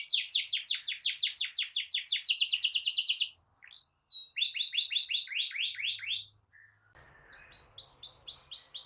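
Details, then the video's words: Canary singing continuously in the gacor ngerol style, used as a tutor for young canaries and to prompt silent ones. Fast runs of rising chirps give way to a short whistle, then more rapid rising notes after a brief pause with faint hiss. "Kenari GACOR NGEROL Cocok Jadi Masteran Burung Kenari PAUD dan Pancingan Kenari MACET BUNYI"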